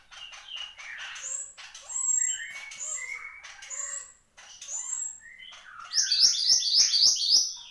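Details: Horsfield's babbler in energetic, nonstop song: varied clear whistled notes and slurred phrases, some rising and some falling, ending in a fast, very high, repeated chattering trill.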